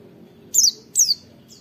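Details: Two brief, very high downslurred whistles, less than half a second apart, from a white-eye singing the rapid wit-wit style used to teach and provoke caged white-eyes into song; faint low background hum.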